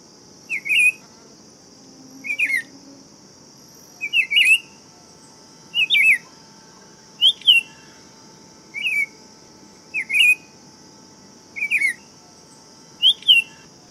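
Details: Buff-throated saltator singing steadily: nine short slurred whistled phrases, each a quick two-part warble, repeated roughly every one and a half seconds, with a persistent high hiss behind.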